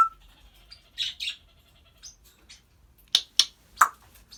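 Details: African grey parrot making short raspy squawks, then a series of sharp, spaced clicks and pops near the end, amid a quiet indoor setting.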